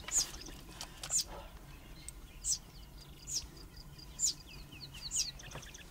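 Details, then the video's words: Dideric cuckoo chick, raised by a pair of Southern Grey-headed Sparrows, begging from and being fed by an adult sparrow foster parent: sharp, very high, thin calls repeated roughly once a second, with faint softer chirps between them. "Cuckoo chick begs for, and gets a free meal from its Sparrow parent"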